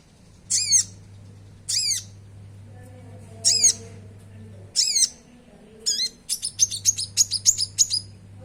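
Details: Singing common iora, called konin, used to stimulate caged birds into song: four separate high arched chirps about a second apart, then a rapid burst of sharp twittering notes, steady low hum beneath.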